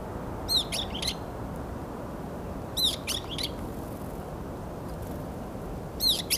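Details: Multiple varied tits competing with each other, January 2021; three groups of high, quick chirping notes roughly every 2.5 seconds, set against steady low background noise.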